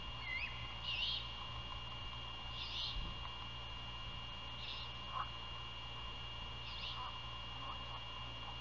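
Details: Nesting great horned owls near Savannah, Georgia, in the night of 27 February 2022 at 1:38 AM, with prey handed over outside the nest and feeding. Around five raspy, hissing screeches repeat every one to two seconds, with faint squeaks between, over a steady hum.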